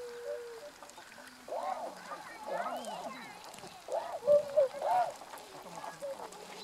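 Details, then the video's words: Tundra swans, adults with a juvenile, on 1 January 2014; a steady held tone opens, then several rounded, nasal honking calls overlap from multiple birds, with a few thin level notes. "コハクチョウ "Cygnus columbianus" の鳴き声"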